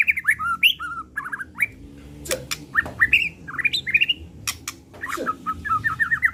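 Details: White-rumped shama, pistol murai batu, heard in a provoking lure recording: varied whistled phrases, upward flicks and short trills, broken by sharp clicks, ending in a rapid repeated whistle series.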